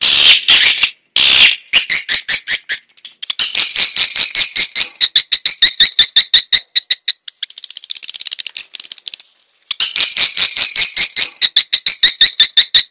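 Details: Swiftlets, a recording played as a lure to draw swiftlets in: dense runs of rapid, high twittering clicks, nearly three a second, with brief pauses and a quieter, fainter stretch midway before the loud chirping resumes.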